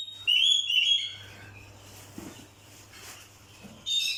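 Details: Oriental magpie-robin (kacer) song used as a lure to provoke other birds: a loud burst of high whistled, slurred notes at the start and another near the end, with a quiet stretch and a low steady hum between.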